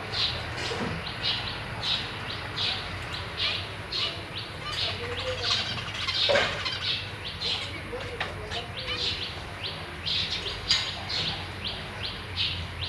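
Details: Zebra finch parents feed three new chicks and three juveniles in a cage, 1 May 2023. Steady stream of brief high chirps, several birds calling at once, with soft fluttering and a low hum beneath.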